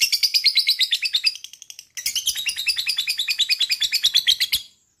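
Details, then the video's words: Lovebird trilling meant to set off other lovebirds: two long runs of rapid, evenly pulsed high chatter, the first about two seconds, the second longer, separated by a short gap. "DENGARKAN suara LOVE BIRD ini,,bisa m3micu lb untuk ngekek"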